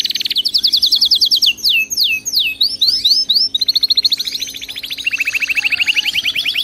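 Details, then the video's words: Canary song for training a pet bird to sing continuously: loud rapid trills of repeated notes, a sequence of sharp descending sweeps, then a steady rolling trill and a fast pulsed tour at the end. "صوت كناري مذهل لتدريب وجعل طائرك الكناري يغرد بلا توقف canary singing training bird"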